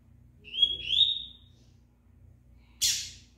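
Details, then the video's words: Rusty-collared seedeater, a fast singer, singing even during moult: two clear whistled notes rising slightly and sliding upward, followed by a short harsh burst after a pause. "COLEIRO KRIPTON, MESMO NA MUDA NAO PARA"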